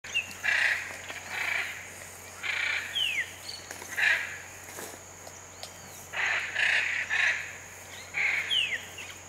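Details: Hyacinth macaws in the Pantanal give harsh, grating squawks in bursts about a second apart, with thin whistled notes from other birds between them.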